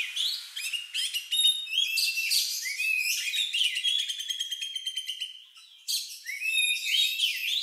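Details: Oriental magpie-robin song that is unusual and lovebird-like, used as a lure to make other birds sing. Dense high chirps and rattling trills run continuously, with a brief pause near the end before the chatter resumes.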